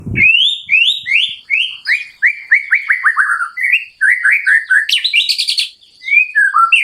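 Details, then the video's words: Wild white-rumped shama (murai batu) singing by a stream: a rich, varied run of clear whistled phrases, many sliding downward, delivered rapidly over a faint steady high hiss. "Wild Murai Batu Legend Singing By The Stream"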